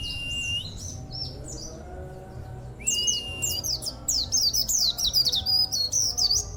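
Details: Kept local Oriental white-eye singing its unusual song, possibly picked up from auri and monty white-eyes: soft high chirps and a level whistle, then a loud burst of fast, sharp, twittering notes over low hum.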